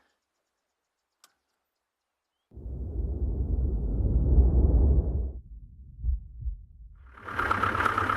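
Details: Near silence broken by a single click, then a deep rumbling roar like an engine or wind gust, a softer low hum, and a burst of hiss at the end.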